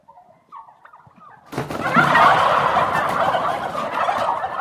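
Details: Turkey gobbling loudly after a quiet start with faint softer calls; a dense, rapid, rattling burst of harsh gurgling notes that holds strong for about three seconds.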